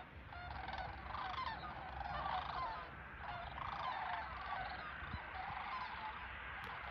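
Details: Nearly 100 sandhill cranes (Antigone canadensis) passing overhead in winter, Fort Loramie, Ohio, 4 January 2023, give overlapping rolling, trumpeting flight calls in a continuous chorus over a low rumble of wind.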